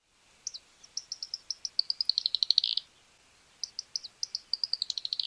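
Fork-tailed Flycatcher giving high, thin ticking notes that speed up into a sputtering, buzzy chatter, twice over about five seconds. No other sounds.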